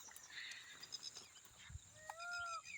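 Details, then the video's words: Indian peafowl calling nearby in Konkan village woodland, possibly two birds, one perhaps a peahen: one loud, nasal, drawn-out wail near the end, after faint chirps of small birds and a thin insect hiss. "परत बघा मोर ओरडतोय"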